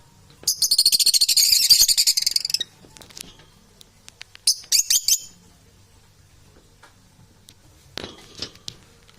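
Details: Domestic parrots: a long two-second burst of fast, high, harsh chattering, then a few short rattling notes and a brief rasp near the end.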